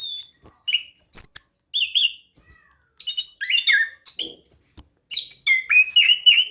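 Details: Orange-headed thrush singing loudly and continuously, used as a lure to make a quiet bird sing: rich varied phrases of clear whistles, slurred notes and buzzy chatter, each burst brief and high, delivered in quick succession with short pauses.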